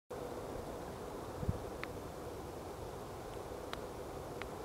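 Outdoor wind noise and a low rumble with a few brief clicks, and no animal calls heard.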